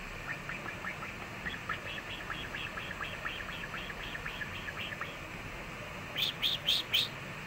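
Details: Seven-year-old male pet budgerigar indoors, cheering "ganbare" for Japan's World Cup team, November 2022: rapid, even, scratchy chatter of short syllables about four per second, then a few louder sharp squawks near the end.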